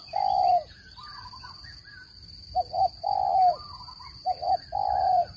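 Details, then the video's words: Spotted dove lure call used in bird trapping: long, low, hollow coos alternating with quick double hoots, several phrases with a pause after the first, and a weak constant high whine in the background. "Tiếng chim cu gáy dùng để bẫy chim,giọng chuẩn không tạp âm"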